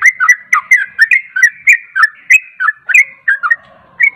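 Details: Rapid 'ropel' singing from a caged yellow-vented bulbul, used to lure a quiet bird into replying: quick chains of liquid, slurred whistles, each note bending down then up, repeated over three times a second.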